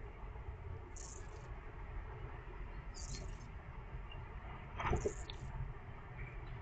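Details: A hungry young European robin gives three thin, very high squeaky begging calls, roughly two seconds apart, over a steady low rumble with one sharp click.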